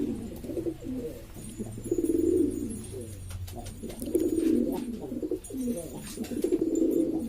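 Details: Domestic pigeons of East Lombok, Indonesia, several varieties kept by fanciers, calling noisily: repeated low, rolling coos roughly every two seconds, overlapping from more than one bird, with faint clicks and a low background hum.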